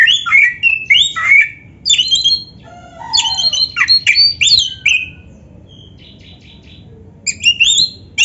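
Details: Oriental magpie-robin singing loudly with many imitated notes, used to train other birds: sharp high whistles, scratchy squawks and quick chirp bursts, a pause of about two seconds, then more song over low rumbling noise.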